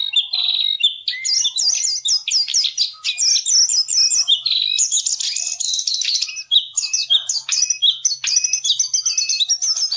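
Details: Javan cochoa song variations as tutor recording for songbirds: ten seconds of nonstop rapid chattering and twittering, with repeated short high whistled motifs woven through.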